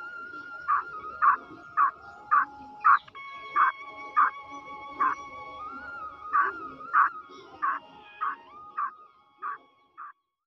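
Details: Female black francolin calling in a series of short repeated notes, roughly two per second with a brief pause midway, accompanied by a persistent steady tone in the background.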